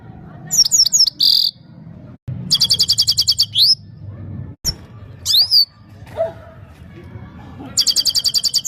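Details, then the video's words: Himalayan goldfinch of Parachinar singing for a female goldfinch: high twittering phrases, fast repeated chirp trills and upward-sweeping notes in several bursts, with a low background rumble between them. "The best himalayan gold finch singing of parachinar top bird"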